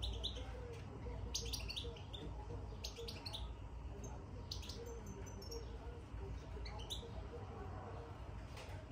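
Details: European goldfinch in its cage after entering, twittering in the bitbita style: separated clusters of sharp high chirps and short trills amid steady low-frequency hum.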